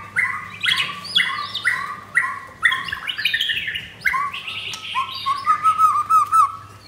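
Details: Captive mottled white-rumped shama facing a rival in the morning, Thursday 19 May: bright repeated whistled phrases about twice a second, then a run of rapid trilled notes on one pitch, over a low droning hum.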